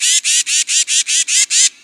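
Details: A Tufted Titmouse, a year-round bird of the Albany Pine Bush, New York, gives eight harsh, whiny, scolding notes in winter. They come in quick even succession, about five per second, sounding angry; nothing else is heard.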